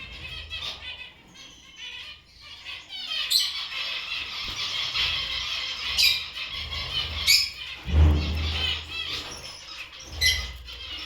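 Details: Gouldian finch kept at home, uttering rapid, high, squealing and buzzy chattered notes in irregular bursts with a few sharp squeaks, plus a dull low thump partway through.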